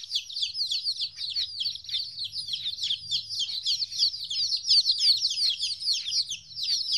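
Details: Shrill, rapid cheeping, around three peeps per second, from chicks fourteen days old separated from their mother for the first time, with a soft low hum in the background.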